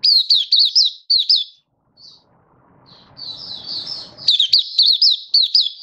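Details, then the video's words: Caged Malaysian white-eye singing happily in stable, warm, sunny weather in Singapore, 20 March 2023: bursts of high, rapid, sweet twittering notes, a short pause with faint low rustling, then a renewed quick chattering phrase. "Malaysian Mata Puteh Happy Buka Sing"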